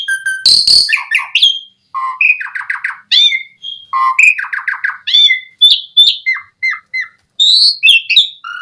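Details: Asian pied starling singing, played so starlings sing in reply: varied phrases of harsh squawks, chattering rolls and short whistles, several lower grating series repeated in between.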